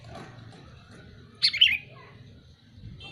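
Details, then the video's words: A single loud, burry chirp from a calling sooty-headed bulbul rises out of a soft, steady low background hum. "Suara burung kutilang memanggil"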